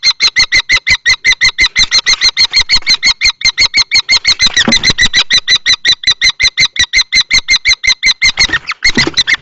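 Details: Nest box struggle between an adult and a juvenile-plumaged male common kestrel, Théding, 20 March 2024. Insistent shrill kee notes repeat steadily for the whole stretch, with muffled knocks and scraping.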